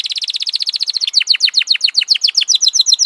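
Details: F1 canary in full song: a fast, even series of high chipping notes, then a slightly slower run of bright descending whistled notes repeated about four times a second.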